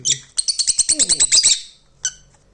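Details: Pet lovebirds playing with a boy and biting his jacket give a rapid run of about ten sharp, high chirps in just over a second. A single chirp follows after a pause, with faint voices in the background.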